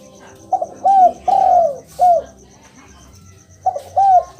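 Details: Spotted dove call used as a lure to make a silent caged dove answer: clear low cooing notes, a short double coo then longer drawn-out coos falling in pitch, in groups separated by pauses, with a faint steady high tone behind.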